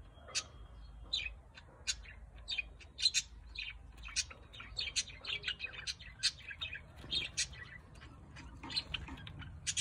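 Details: A pair of budgerigars mating on a tree chatter in quick, scratchy chirps and squeaks that tumble over one another without pause.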